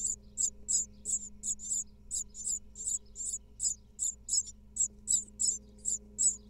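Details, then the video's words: Begging from a brood of great tit nestlings in a nest box in Israel, second clutch of 2022, fed by their mother: rapid, regular train of sharp hissing squeaks, nearly three per second, with a low background hum. "Great tits nestling get fed and home cleaned by female"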